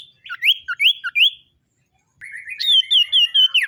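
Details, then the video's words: Common iora singing in the morning: a series of four clear whistled notes, each a short hooked slur near the same pitch, then after a pause a longer run of sweet, rippling whistles over a steady higher tone. "SIULAN TERMERDU BURUNG SIRTU DI PAGI HARI"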